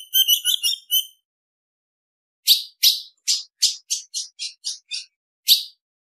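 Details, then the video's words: Ultramarine grosbeak female call meant to stir up males: a burst of high, harmonic-rich warbled notes, then a pause and a run of about nine sharp, descending chips at irregular intervals. "Piado de fêmea de Azulão Esquenta qualquer Azulão"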